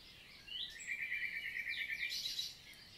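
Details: Common nightingale in summer morning song, 11 June 2023, countryside forest in the Célé valley, Lot, southern France; a rapid even series of short repeated notes lasting two seconds, capped by higher chirps.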